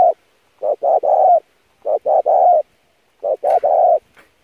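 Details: Spotted dove lure song for training, three three-part phrases of two short coos and a drawn-out coo, roughly every one and a half seconds, a brief click near the end.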